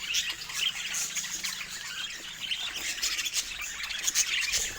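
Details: Contented pet budgies twittering: a busy mix of sharp high chirps, short squeaks and raspy warbling, delivered in uneven bursts throughout.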